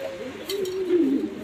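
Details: Domestic pigeons in Savar, Dhaka, Bangladesh, kept with their young: a drawn-out, low, wavering coo that slides slightly downward, with faint chirps in the background.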